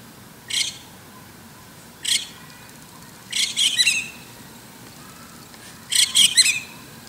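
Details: White-cheeked Starling calling in the morning from atop an antenna: harsh, scratchy squawks, two single notes then two bursts of three or four rapid grating notes, every second or two against a quiet background.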